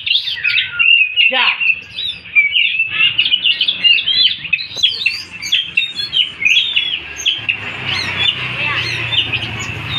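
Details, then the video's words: Oriental magpie-robin singing while training alongside another magpie-robin: a rich, continuous run of varied whistles, slurred notes and quick chattering phrases, bright and high, with little pause across ten seconds. "Kacer, latihan dulu,,sama kacer temam,,"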